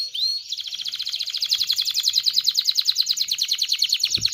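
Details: Canary singing for mating stimulation: a short rising whistle opens into a fast, even, rolling trill of repeated notes sustained to the end.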